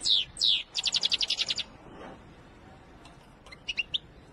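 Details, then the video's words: Wedani goldfinch: two loud, descending slurred notes, then a fast, even trill of about ten crisp pulses, followed by quieter, scattered chirps after a pause. "أقوى تغريد الحسون الويداني"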